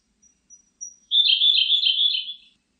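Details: Siberian blue robin singing: a few thin, very high introductory notes, then a fast, dense, slightly buzzy trill lasting about one and a half seconds before trailing off; no other clear sounds.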